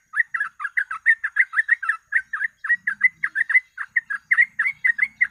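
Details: Yellow-vented bulbul (trucuk) in continuous, energetic 'ropel' song used as a lure: an unbroken stream of quick, bubbly chattering notes, about four per second, steady in loudness throughout.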